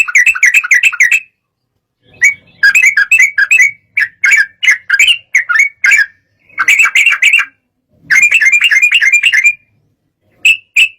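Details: Sooty-headed bulbul singing in an agitated way meant to provoke rival birds into singing; bursts of rapid bubbly chattering notes around mid-high pitch, separated by short pauses, with a few isolated notes near the end.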